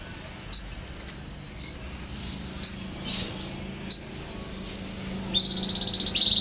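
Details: Unedited canary song: sustained, high, pure whistled notes held for about a second each, every one opening with a brief rising slur. The last phrase breaks into a rapid rolling trill over a steady low background hum.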